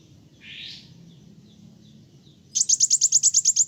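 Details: Sunbird in loud gacor song that riles other birds. A faint, hissy note and soft chips come first. After a pause, a sudden bright burst of about nine rapid, evenly spaced high trilled notes follows.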